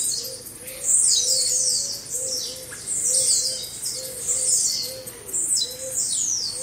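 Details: Several blue-black grassquits singing together, a chorus used to train caged birds: rapid high squeaky down-slurred phrases overlapping constantly, over a steady low dove-like coo repeated about twice a second.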